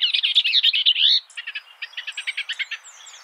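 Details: Skylark song: a dense burst of fast, warbling trilled notes for about a second, then a run of quick, evenly spaced chirps, all high-pitched and continuous, with no other clear sounds.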